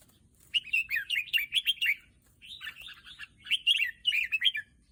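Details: Red-whiskered bulbul singing in two bursts of quick, bubbly warbled phrases. The first lasts over a second, then comes a short pause before more liquid, chirping notes. A faint low rumble sits underneath.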